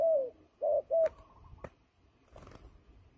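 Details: Turtle dove, a fighting bird used for trapping, gives three short, mellow coos in quick succession over the first second, followed by a sharp click and soft rustling noise.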